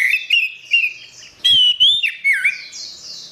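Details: Orange-headed thrush singing energetically in gacor style for a songbird training recording. Short, clear whistles wobble up and down, followed by louder sweeping and warbling notes, with faint high twittering underneath.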